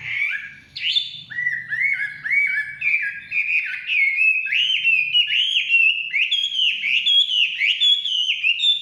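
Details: Chinese hwamei song in forest: a steady stream of repeated slurred whistles climbing gradually in pitch, each phrase bending up then down, loud and continuous throughout.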